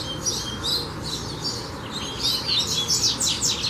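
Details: A coleiro sings in fibra training, giving quick bright chirps and thin whistled notes that grow louder and denser toward the end, over a constant low background drone.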